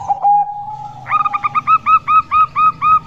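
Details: Zebra dove, described as a Bangkok-type bird and a local female singing vigorously: a long steady low coo, then about nine quick bubbly hooked notes rising slightly in pitch, roughly four per second.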